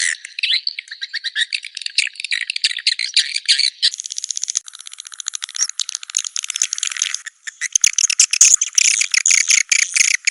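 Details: Continuous high rattling twitter of swiftlets associated with a swiftlet house, a buzzy chattering stream that shifts to a thinner, finer texture midway, then returns to dense, clicking bursts.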